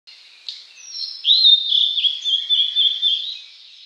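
Blue-and-white Flycatcher singing a clear, high, flowing phrase of whistled notes with slurred, warbling turns, lasting about three seconds over faint background hiss.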